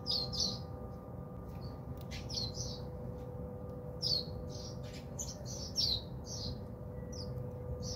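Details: House sparrows bathe and chirp at a home in South Africa: short, scratchy chirps come in irregular bunches, with wing flutters and a continuous mechanical hum behind.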